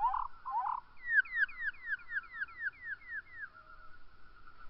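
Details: Male Spotted Towhee singing at the trailhead to the Petrified Forest in Theodore Roosevelt National Park: two low introductory notes, then a quick run of about ten downslurred notes, over a steady low hum.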